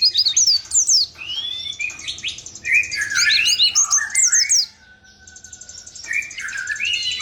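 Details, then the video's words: Pleci, the Oriental white-eye, delivering a rolling 'ngalas ngerol' song: fast tumbling high whistles and lower sweeping warbles, a brief pause, then more rising notes, against a constant thin high-pitched drone. "Pleci ngalas ngerol"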